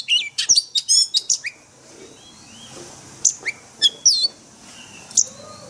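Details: Oriental magpie-robin in forest-style song for daily training of caged birds. A rapid burst of high whistles and trills opens the recording, followed by scattered single sharp notes over a quiet background.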